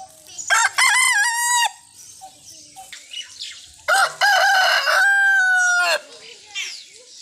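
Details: Rooster giving two strong crows, the first short and clipped, the second long with a sustained, level ending, plus faint clucks and a distant crow in between.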